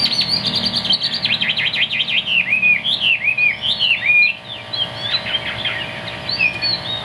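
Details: Caged Chinese hwamei, about 95% tame, praised as a strong singer: loud, rich whistles opening with a fast run of repeated high notes, then varied slurred phrases, with a faint steady hum behind.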